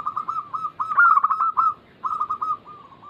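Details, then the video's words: Perkutut, the zebra dove, singing to encourage other caged doves: bubbling series of short coos at one pitch, a louder rolled middle phrase, a brief pause, then another quick run of repeated notes. "Pancingan ampuh atasi burung perkutut yang sulit Gacor"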